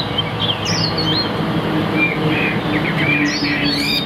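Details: Caged Chinese hwamei, kept as a prized songbird, delivering sparse whistled phrases and slurred notes at fairly high pitch over a steady low hum and background noise.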